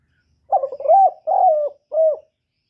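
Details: Mellow spotted dove call in three segments, a long wobbling coo, a steady one and a short clipped finish, each separated by brief gaps in quiet surroundings.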